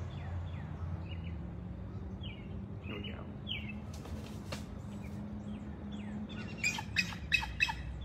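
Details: Captive American Bald Eagle pair at a zoo exhibit, resident since 1996, give a territorial call at keepers entering with food: thin, high, slurred whistles, then a louder burst of rapid piping chatter near the end, over a low hum.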